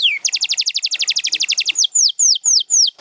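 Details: Champion canary singing: a fast, even trill of rapid repeated notes lasting over a second, then a series of slower, loud whistled notes that sweep downward, about four in a row.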